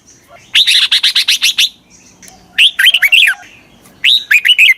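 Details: Decoy red-whiskered bulbul calling to draw wild birds closer: a quick string of seven bright, even chirps, then two short whistled phrases of slurred, swooping notes with brief gaps.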